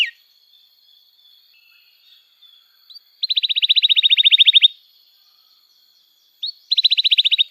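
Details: Canary song used to coax young canaries into singing, heard as two rapid, even, high trills of sharp notes, each lasting about a second and a half, separated by quiet gaps with a faint steady tone.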